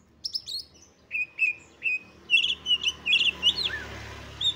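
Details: Female Oriental magpie-robin used as a lure to make males agitated, spread their tails and fight: sharp high chirps, then a run of short whistled notes repeated about twice a second, ending in a rising and falling slurred whistle.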